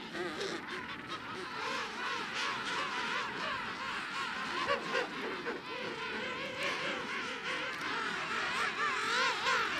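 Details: Colony of several thousand king penguins, calling continuously even through the night, in a dense chorus of overlapping wavering, trumpeting voices with rapid warbling modulations, rising and falling.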